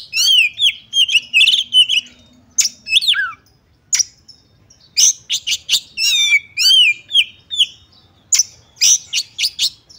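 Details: Female magpie-robin used as a lure so males quickly become agitated and fight. Bursts of quick rising-falling whistled notes and buzzy chirps, separated by short gaps and sharp single ticks, with a mix of harsh and sweet tones.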